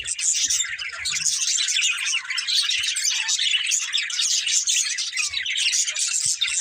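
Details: Budgerigars kept together as a family fill the air with constant chirping, a thick blend of scratchy warbles and thin high tweets that barely pauses.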